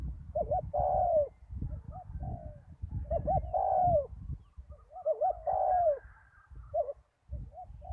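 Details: After a storm, a decoy spotted dove on a ground arena gives three full coo phrases, double looped notes then a sustained downward-sliding coo, followed by fainter short coos, with low rumbling noise beneath.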